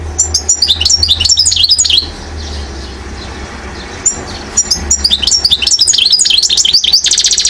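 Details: European goldfinch, a one-year-old acrobat bird from Mouzaia, Algeria, recorded in 2012, singing rapid twittering phrases of high buzzy and downslurred notes, pausing midway and then resuming with dense chattering trills, over a low background hum.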